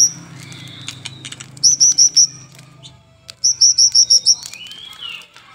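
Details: White-rumped shama tutor recording for caged birds, morning and evening: two bursts of five or six sharp high chips in quick succession, with scattered clicks, a soft rising whistle and low background hum.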